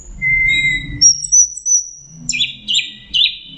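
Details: Geokichla citrina, the orange-headed thrush, gives a sweet song. A clear flat whistle is followed by a long high pure note, then three short burry phrases repeated about every half second, with low rumble underneath.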